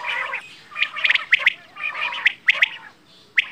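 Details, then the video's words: Quail, bedana or batair, uttering a harsh squawky note followed by quick sharp chirps in small groups, then a pause and a final clipped chirp. "Quail | Bedana | batair ki awaaz"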